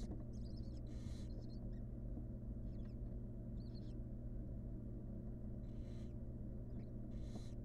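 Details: Inside a wild barn owl nest box on the hatching day of the sixth nestling: scattered short scratchy squeaks and clicks with a few breathy hiss bursts, spaced irregularly over a continuous low rumble.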